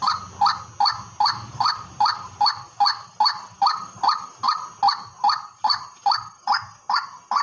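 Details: From a farm field, a white-breasted waterhen repeats a loud, harsh, nasal call in a steady, even series, close to two and a half notes per second, with low rumble early on.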